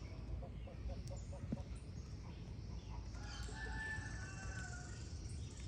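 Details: Rooster crowing at dawn on a rural farm: a distant, sustained harmonic crow rises midway and holds for about a second, over steady low rumbling background noise and a few faint clucks.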